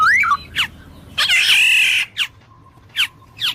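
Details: Black-naped oriole with a short whistled upslur, a long grating, nasal squawk, and several separate sharp downward chips spaced roughly half a second to a second apart.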